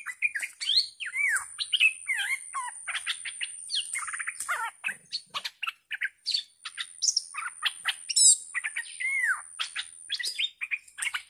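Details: Caged bulbul used as a decoy bird, called fierce, recorded 18 July 2021, singing a busy, varied stream of bubbly whistled and chattering notes, many swooping up or down, with a constant faint high-pitched whine behind.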